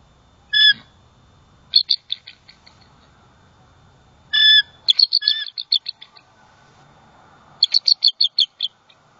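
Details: Wild bald eagles at their nest in Southwest Florida on 28 December 2020 after a great horned owl struck the male; the female vocalizes in distress: three bursts of high, sharp chattering notes, each a quick descending series of piping chirps.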